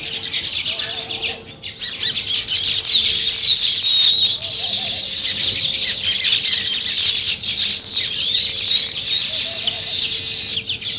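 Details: Morning chirping of sparrows where weaver birds are building nests, a busy flock chattering nonstop in high buzzy and squeaky notes after a quieter opening second or two.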